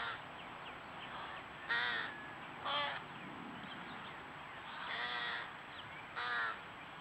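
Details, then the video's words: American Crows and their offspring calling noisily to be fed at a pond in June, recorded by trail camera: scattered hoarse, wavering caws with some softer nasal notes between them, over background hiss. "American Crows with their offspring making a lot of noise to be fed"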